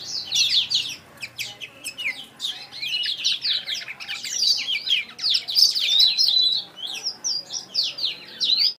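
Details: Young Blacktrout Somerini finches at a Klaten finch breeder twitter constantly in high, sharp chirps and quick slurs, loud and crowded, about two or three notes a second.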